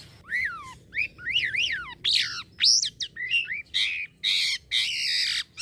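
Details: Kept Black-winged myna from Indonesia singing steadily: loud phrases of swooping, zigzag whistled notes rising and falling, then harsher squawky, buzzy bursts, with short gaps between phrases.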